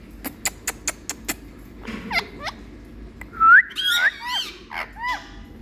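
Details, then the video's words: Pet Indian parrot showing love to its owner: a run of five sharp clicks, then squeaky whistled notes and bent, rising and falling chirps with a hoarse rasp, over low room noise. "Indian Parrot kaku🥀Showing Love🍃To Me Super♥️Cute Talking Bird"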